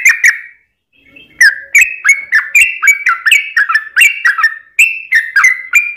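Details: Yellow-vented bulbul giving a long rapid 'ropel' song, used as a lure to make other bulbuls sing: two quick liquid notes, a brief pause, then a dense run of bubbly chirps that rise and dip.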